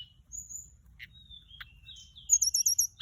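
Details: High, thin flycatcher song for luring, with sustained whistles and sharp ticks, ending in a fast run of trilled, warbling notes, all well above the faint low background hum.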